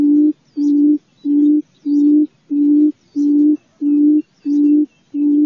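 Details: Quail giving low, level hooting notes in a steady, evenly spaced series, roughly three every two seconds, with faint high-pitched chirps of other birds behind.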